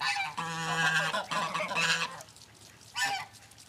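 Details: Farm geese released from their night barn in the morning give strong nasal honks, two long overlapping bursts followed by a shorter honk after a brief pause.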